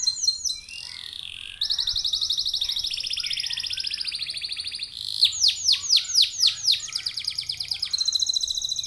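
A canary sings a fast, varied song: high buzzy trills and rapid chips, then a run of sweeping down-slurred whistles, about four per second.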